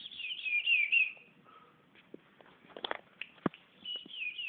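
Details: Patativa chorão (white-bellied seedeater) singing. A loud whistled phrase of sliding, descending notes fills the first second, then scattered clicks and knocks follow. A softer whistled phrase returns at the end.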